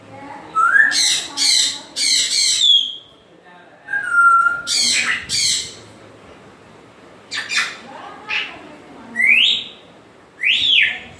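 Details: Grey parrot calling with harsh broadband squawks mixed with clear whistles that swoop and rise, several bursts spread through the stretch, some quieter gaps between.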